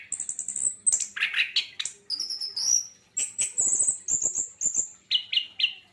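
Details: Javan white-eye singing a lively sequence of high whistled trills, chattering notes and rising slurs, closing with three evenly spaced lower chirps.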